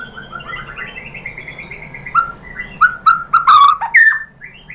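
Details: Lure song of a white-rumped shama, played to provoke shamas into answering: a run of soft repeated whistled notes, then loud slurred whistles broken by sharp, harsh chattering bursts, with a faint low hum behind.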